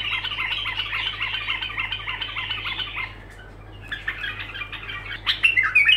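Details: Uninterrupted bulbul song phrases: about three seconds of fast, evenly repeated chattering notes, a brief silence, then renewed warbling ending in high squeaky notes, over a low hum.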